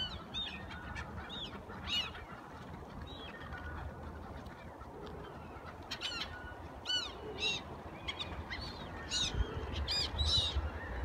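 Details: A flock of black-tailed gulls at the Sunaoshi River by JR Tagajo Station, Tagajo, Miyagi, Japan, gives nasal, mewing calls, several birds overlapping every second or so, over a steady low rumble of traffic and water.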